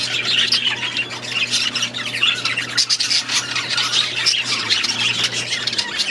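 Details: Budgerigars chatter together in an aviary: a continuous wash of buzzy, squeaky warbling and short squawks from many birds at once, with a low hum underneath.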